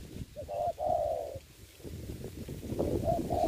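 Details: Spotted dove decoy on the ground during trapping in Vietnam: a couple of short low coos then a longer drawn-out coo, with low rumbling noise underneath.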